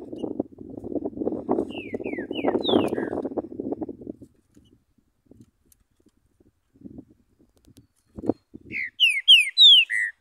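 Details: Free-living green-winged saltator in Urupema, Santa Catarina, Brazil, called the coldest place in the country: short down-slurred whistled notes in two brief phrases, the second loud and clear, over an opening stretch of low rumbling noise.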